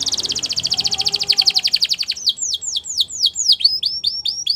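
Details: Belgian canary delivering a fast, even trill of rapid pulses for two seconds, then switching to a slower run of sharp downslurred whistled notes repeated about three per second.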